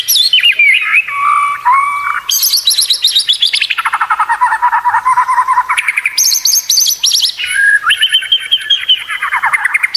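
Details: Murai batu competition tutoring song: rapid, fast-repeated trills that shift pitch in steps, high then low then high again, with a few whistled slurs at the start.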